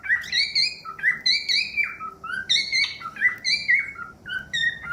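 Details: Loud, clear cockatiel whistles, some sliding and some level, sung in quick succession in a song meant to teach cockatiels to sing.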